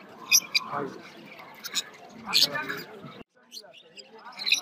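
Lovebird giving short, sharp, high chirps in scattered bursts, under a murmur of voices or music.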